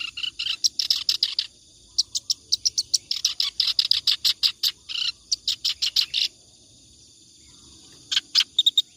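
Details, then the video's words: Clamorous reed warbler in sustained song, used as a tutor recording for other cage birds; loud, harsh, grating notes delivered in rapid chattering bursts of one to two seconds, separated by brief pauses. "BURUNG KERAK BASI NGACOR COCOK BUAT MASTERAN"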